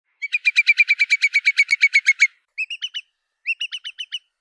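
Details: Curlew calls used as a lure recording: a fast run of about sixteen clear whistled notes, then two shorter bursts of quick, upward-flicking whistles with gaps between them. No other sounds.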